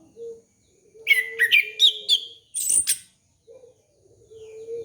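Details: Orange-headed thrush lure song for young birds, a fast series of whistled, descending and buzzy notes ending in a very high squeal, beside a steady low tone.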